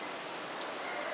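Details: Collared flycatcher (Ficedula albicollis) with chicks and juveniles in Romania, June 2014, gives a single very brief, level, thin high whistled note against a soft steady hiss.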